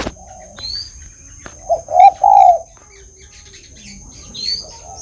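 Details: Tame spotted dove calling frequently: a soft low coo followed by two louder, rounded cooing notes in quick succession. Faint high chirps from other birds and a steady thin high whine run in the background.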